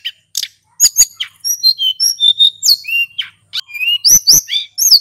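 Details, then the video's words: Lure recording of a male hill blue flycatcher in full, unbroken song. It opens with sharp high chips, then runs a long string of clear whistled notes stepping and sliding down, each about a fifth of a second. It ends with loud upslurred whistles in a clean, quiet recording. "Sulingan gunung jantan gacor ngeroll"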